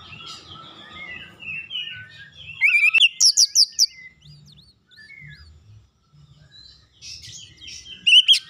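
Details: Oriental magpie-robin song played to set other birds singing: soft warbled phrases, a burst of loud sharp repeated chirps, scattered quiet whistles and a final loud flourish.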